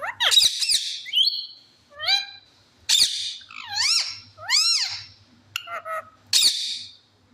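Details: Pet talking parrot producing a string of squeaky whistled and wavering, rising-falling vocal phrases, some speech-like, in short bursts with brief pauses, indoors with a faint low hum.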